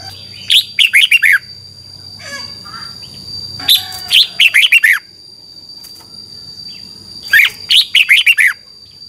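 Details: Red-whiskered bulbul from Thailand, a cage-kept bird singing the 'double' song style used to teach birds to count notes: three quick phrases of about five bright, slurred, warbling notes, repeated every three to four seconds over a steady high whine.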